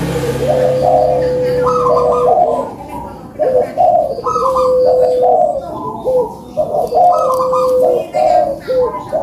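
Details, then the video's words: Barbary dove cooing for prompting quiet birds: soft coo notes around a long steady tone, repeated in three similar bouts over constant background noise. "COCOK BUAT PANCINGAN BURUNG PUTER YANG MALAS BUNYI"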